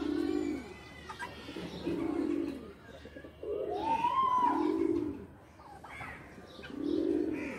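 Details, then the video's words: Pigeons at play in a loft coo in deep, throbbing bursts about every two seconds, four clear phrases, one with a short rising whistle-like sweep. "Pigeon are playing in loft"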